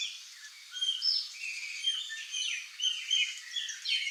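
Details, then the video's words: Wild flock of curl-crested jays (gralha-do-campo) in Brazil, birds of Cerrado and Caatinga open and wooded areas; overlapping high, slurred and downward-sweeping calls from several birds, chattering continuously. "Flock of CURL-CRESTED JAY (CYANOCORAX CRISTATELLUS), GRALHA-DO-CAMPO"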